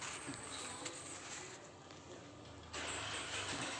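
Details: Steady engine and vehicle rumble with faint speech; no animal voice can be picked out, and the noise level jumps near the end.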